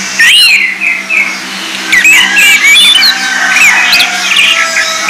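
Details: Orange-headed thrush singing to provoke other birds: a loud, continuous run of varied whistled phrases, sliding up and down with scratchy notes, over a steady low electrical hum.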